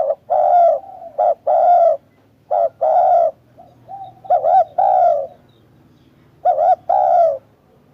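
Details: Repeated spotted dove coos in a quiet setting: a brief note then a drawn-out mellow coo, occasionally doubled, with a weaker distant coo near the middle.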